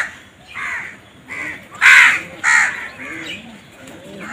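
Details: Harsh, hoarse crow caws from birds fighting for food come in uneven bursts, with two loud, rough calls in the middle. Faint low cooing sounds in the background.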